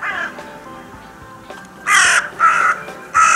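A crow gives three loud, harsh, grating caws in quick succession, about half a second apart, after a fainter call at the start.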